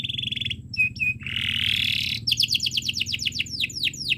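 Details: Canary tutor song for young birds learning to sing, a long continuous chirping style: a steady whistled tone and short notes lead into a buzzy rolling phrase, then a fast series of descending sweeping chirps, with a faint low hum beneath.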